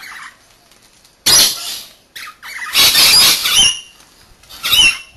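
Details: Captive Rainbow Lorikeets bathing, taking turns at the bath: loud harsh screeching bursts, broadband and shrill, in three separate outbursts with quiet gaps between.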